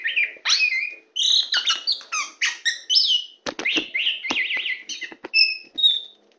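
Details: Tame champion Oriental magpie-robin singing while perched on a person's hand: a varied run of whistled and slurred phrases, rising and falling, broken by sharp clicking notes and a trilled, wavering passage near the end.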